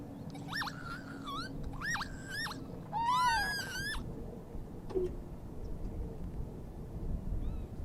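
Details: Northern lapwings at Oandu, Virumaa, Estonia, March 2022: loud wheezy two-part calls rising and falling, a few in quick succession in the first four seconds, then a quieter call late; low rumbling background noise.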